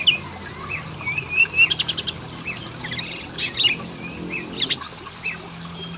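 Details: Oriental magpie-robin song played as a lure to set males and females singing: a varied mix of clear whistles, dense high chatter bursts and hooked upslurred notes in quick succession.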